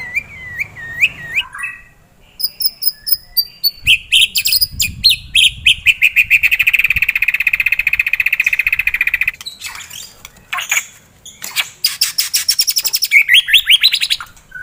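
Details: White-rumped shama in loud fighter-style song, packed with varied phrases: looping whistles, rapid buzzy trills held for several seconds, sharp high chips and quick repeated notes, all loud and close.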